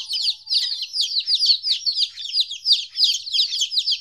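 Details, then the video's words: Young chickens at 14 days old, separated from their mother for the first time, peep loudly and rapidly, high downslurred chirps crowding together in a constant chorus. "Chicks Chirping Sounds - Baby Chicken Sounds"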